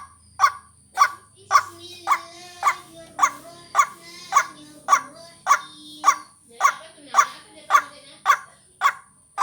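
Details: Waterhen lure call used for vocal training: regular harsh 'ruak' notes spaced about half a second apart. Steady tonal whistles layered mid-clip, a faint low hum near the start, and a continuous high-pitched whine.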